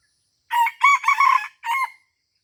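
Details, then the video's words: Crow of a junglefowl recorded while luring at Taman Rusa, Aceh, Indonesia: four hoarse, ringing syllables, the middle pair longest, the last one short and separated by a brief gap, with no other sounds. "AYAM HUTAN Aceh # Mikat di Taman Rusa"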